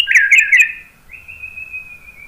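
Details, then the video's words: White-rumped shama, played to make other birds answer, giving three quick rich warbled notes followed by a long, smooth, slightly falling whistle. "KICAUAN MURAI BATU bikin NYAUT ikut BUNYI GACOR NGEPLONG BONGKAR ISIAN ¦ PANCINGAN MURAI"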